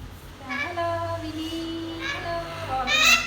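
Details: African grey parrot indoors producing speech-like vocalisations: a drawn-out, harmonic-rich voiced tone sliding slightly upward, then brief bright syllables near the end, with light background hum.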